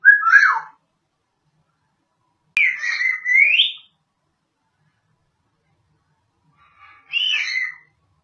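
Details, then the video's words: Pet female African grey parrot known for talking, barking and sneezing, giving three separate bursts of warbling, whistle-like mimicked vocal sounds with sliding pitch, separated by silent pauses. "my bird African grey is so cute. She is taking, barking, sneeze and etc"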